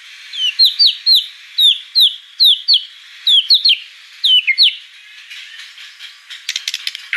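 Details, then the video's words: White-rumped shama (murai batu) in gacor song, giving a series of sharp upslurred whistled notes, about two a second, in pairs and singles, then a softer scratchy, clicking ending. "Suara kicau burung murai batu gacor"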